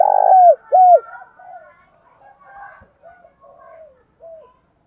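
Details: Spotted dove cooing to draw a response from a caged house bird, which answers vigorously: two loud, throaty arched coos open, then a string of softer, more distant coos.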